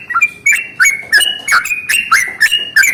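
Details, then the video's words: Yellow-vented bulbul in morning song of the long rolling 'ropel panjang' style, meant to get rival bulbuls singing; sprightly chattering notes in a steady chain, each a quick liquid swoop, about three per second. "SUARA trucukan ROPEL PANJANG pagi hari | Rajanya bikin trucukan lain gacor"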